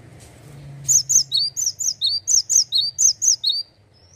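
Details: Singing male cinereous tit, ngeplonk style: about twelve loud, clear whistled notes in rapid succession, alternating a higher note and a lower falling one, evenly paced, over a soft low background hum.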